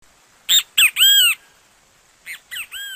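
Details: Great kiskadee, a Brazilian bird, singing: two short harsh notes followed by a longer arched squawking note, then the same three-note phrase repeated more softly after a pause.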